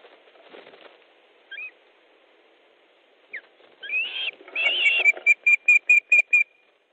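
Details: Osprey at a nest in Estonia, 3 August 2014 at 15.30, during a fish delivery as another bird arrives: scattered whistles build into an excited burst, then about seven evenly spaced sharp whistled notes.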